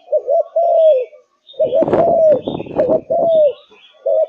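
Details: Caged Malaysian spotted dove cooing in full form: low double notes and long falling coos, partly overlaid midway by a burst of rustling, knocking noise before the song resumes.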